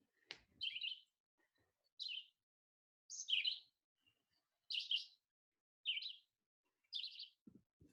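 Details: Red-eyed Vireo singing short, burry whistled phrases, each about a third of a second, repeated every one to one and a half seconds; the song says "vireo" much quicker than the slow Blue-headed Vireo's.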